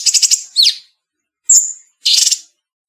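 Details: Cucak cungkok bulbul, cleanly edited: a short harsh stuttering chatter, a looping whistled slur, a sharp whistled note, and a final rasping burst, with clear pauses between them.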